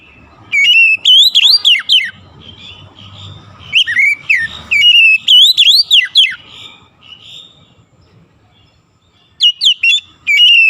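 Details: Bird singing in loud bursts of clear whistled notes that sweep up and down, with phrases repeated several times and quiet pauses between the bursts.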